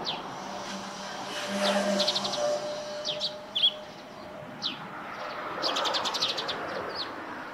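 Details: Wild Eurasian tree sparrows by a roof where they nest, calling in scattered bright chirps and brief downslurred notes, with a denser buzzy burst of rapid chirping near the end, over a low continuous rumble and background noise.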